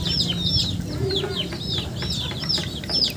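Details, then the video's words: Chickens uttering bright, downward-sweeping cheeps about twice a second, loosely spaced, against a low murmuring hum. "Funny Chicken Sounds"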